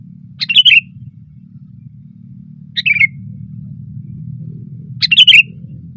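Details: A sooty-headed bulbul sings loudly (gacor) on a branch, three bubbly falling phrases spread over six seconds, accompanied by a deep rumbling background hum.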